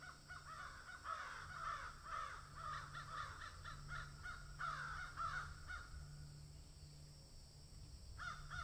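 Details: Crow eating and cawing: a long run of hoarse, rapid caws that stops midway, a pause with a steady low hum, then a final caw.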